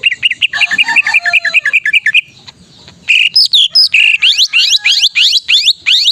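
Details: Greater green leafbird singing vigorously in gacor style, a recording used to stimulate reluctant caged leafbirds: a fast run of rounded whistled notes, a short pause, then a series of loud upward-sweeping whistles.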